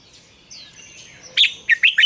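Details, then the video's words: A red-whiskered bulbul morning training song in double-note wild style. After soft, thin whistles, a burst of bright notes is followed by three quick, clipped, rising warbles. "luyện chào mào hót sáng, Ép chào mào hót âm kép già rừng hay tuyệt!"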